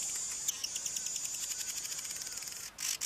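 A male Cape weaver gives a dry, sizzling, buzzy song of rapid pulses, high-pitched and steady for about three seconds, ending in a couple of harsher rasps.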